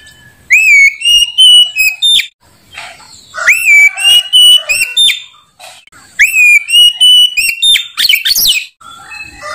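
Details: Oriental magpie-robin sings loudly and without stopping: three similar phrases, each opening with a rising whistle that flattens into long pure notes, followed by sharp chirps and warbled twists, in a steady cycle.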